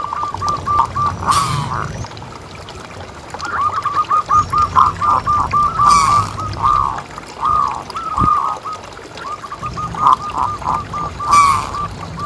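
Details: Local zebra dove, a lure call for prompting other doves to keep calling: repeated phrases of rapid, stuttering coos, each run of quick notes ending in a fuller coo, with brief harsh noise bursts and a low background rumble.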